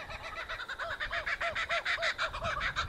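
A Laughing Kookaburra's raucous laugh: about four hooting, chuckling notes a second, swelling louder and harsher as the burst goes on.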